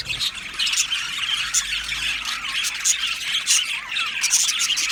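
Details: Budgerigar colony chirping in an aviary, a steady wash of squeaky, grating chatter with sharper squawks rising above it every second or so.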